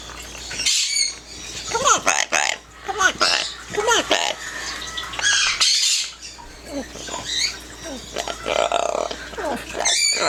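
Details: Pet yellow-naped amazon singing and talking indoors: rough squawks and short talk-like syllables in rapid, irregular bursts, mixed with a person's voice nearby.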